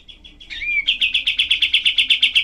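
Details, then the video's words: Olive-winged bulbul giving its rough 'tembakan' burst song: a quiet rising slur, then a rapid, even volley of harsh notes, about six each second, at steady pitch. "masteran kapas tembak"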